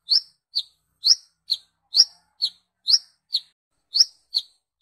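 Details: Brown-throated sunbird lure call for attracting its own species: loud high chirps in rising-falling pairs, roughly one pair per second, with no other sounds.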